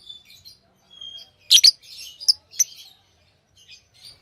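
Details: Lovebird chatter: a thin whistled note, then a cluster of loud rasping chirps and softer high twittering, quiet background.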